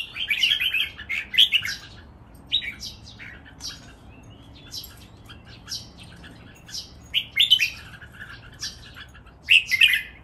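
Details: Red-whiskered bulbuls in a caged singing contest, three birds matched against each other, giving loud, lively bursts of warbled, chirping phrases separated by brief silences, some notes sharp and rising.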